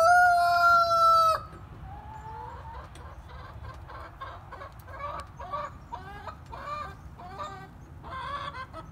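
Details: Chickens recorded on December 14, 2020. A loud, drawn-out harmonic crow-like cry opens, then a long string of quick, irregular clucks and short rising notes over low background rumble.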